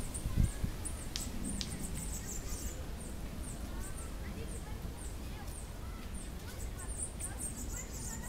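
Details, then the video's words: High, thin chips and short downslurred notes of a Bananaquit singing freely in a tree, repeated irregularly throughout, above a constant low hiss and rumble. "Cambacica solto cantando."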